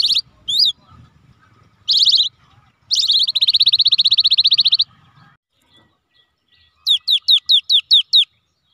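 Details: Cinereous tit, called gelatik batu wingko, used as a lure so lazy birds answer: brief sharp chirps, then a long fast buzzy rattle, a pause, and a run of seven clear down-slurred whistled notes.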